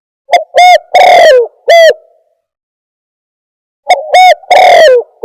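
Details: Trapping lure call of the spotted dove: a phrase of four hollow coos with a long sliding third note, silence of nearly two seconds, then the same phrase starting again.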